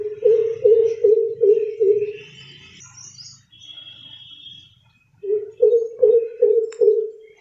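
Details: Greater coucal, or crow pheasant, amid city noise: two runs of deep booming hoots, five low notes each, separated by a pause filled with a low hum and thin high whistles from other birds.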